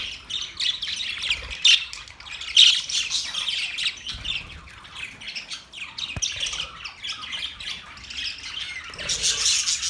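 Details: Budgerigars in a small cage chatter steadily with high, scratchy chirps and squawks layered into a busy, overlapping warble.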